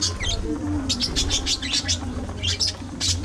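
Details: Budgies eating seeds and vegetables give quick high chirps in clusters, sharp scratchy notes and brief squawks packed close together, above a low droning hum and a soft sustained tone.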